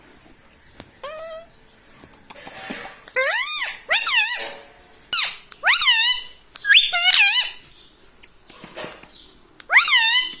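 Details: Pet green parrot indoors repeats arched, swooping harmonic phrases about every second or two, each rising and dropping, with faint clicks and room sounds between.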